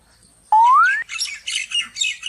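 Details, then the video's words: Common Myna: a clear whistle sliding upward, then a run of harsh, squawky chattering notes, several to the second. "બાળકો હવે આપણે કાબરનો અવાજ સાંભળીએ"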